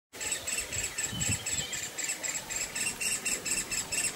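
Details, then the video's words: Hungry woodpecker chicks calling for their parents and for food: a fast, unbroken train of buzzy, high rasping notes, about four a second, over faint low background rumble. "Woodpecker Hungry Chicks Calling Sounds"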